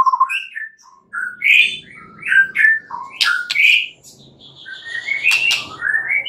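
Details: Nighttime white-rumped shama song meant to stimulate singing: separate phrases of mellow whistles and slurred notes with short pauses, a few harsh clicks, and brighter rising whistles near the end over a faint low hum.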